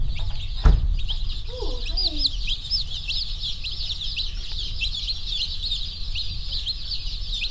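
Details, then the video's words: A flock of just-delivered Rainbow broiler chicks, slow-growth birds active and pecking everywhere: continuous shrill peeping from many chicks at once, a sharp knock early on and one brief lower twisting call amid the chorus. "Rainbow broiler chicks"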